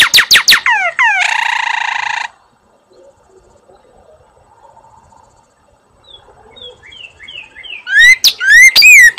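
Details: Female northern cardinal singing from her nest shortly before her eggs hatch: loud downslurred whistles, then a harsh buzzy stretch, a near-silent pause, a soft row of quick chips, and finally loud sweeping slurred whistles again.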